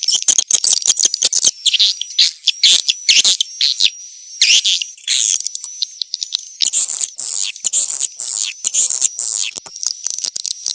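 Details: Swiftlets giving mating calls: rapid high chirps and rattling clicks from several birds, with a thin sustained high whistle running underneath.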